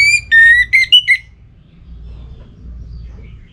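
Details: Kept orange-headed thrush, breeding condition, singing to challenge a rival: a brief loud string of clear whistles, one long low whistle and three short higher notes, then quiet with low background noise.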